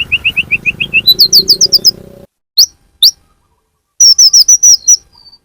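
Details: Sunbird lure call for attracting birds: a quick run of evenly spaced high chirps rising in pitch over a low background hum, two isolated sharp notes, then another rapid series of slurred high chirps.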